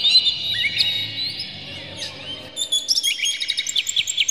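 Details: Song of an Oriental magpie-robin, played to provoke others of its kind: a long sustained whistled passage sliding down, then a rapid, rhythmic run of short chirps quickening toward the end.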